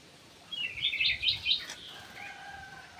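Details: Ground thrush kept in an aviary, singing a short burst of high, twittering, fast-warbled notes lasting about a second, then quiet background hum.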